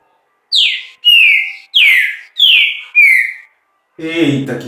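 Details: Song of a green-winged saltator: five ringing whistles, steeply down-slurred notes alternating with flat sustained ones in quick succession, followed by a man speaking at the end.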